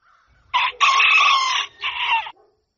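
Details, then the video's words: Dawn crow of a rooster in three joined parts: a short harsh opening note, a long loud sustained middle, and a falling final segment, with a faint low rumble behind. "Canto Do Galo | Galo Cantando Ao Amanhecer"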